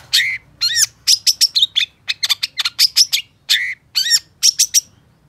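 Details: Long-tailed shrike, known locally as cendet or pentet, in lively full song: sharp chirps and bright whistled notes with rising and falling slurs in quick bursts separated by short pauses.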